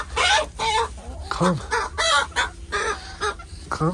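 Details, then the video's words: Morning clucking from backyard chickens as their keeper says hello, a hen calling while laying an egg; loud, nasal, rising-and-falling clucks repeated about twice a second, with brief gaps between them. "Cluck cluck! Good morning chickens!"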